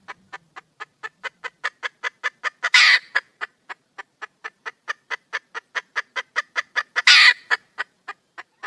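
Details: Female red junglefowl calling for a mate in the wild: steady, evenly spaced sharp clucks run throughout, interrupted twice by a loud grating squawk.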